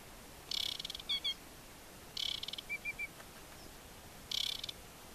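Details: Aquatic warbler singing at Chełmskie Torfowiska Węglanowe in July; three phrases, each a dry buzzy rattle followed by short clear whistled notes, against a quiet background.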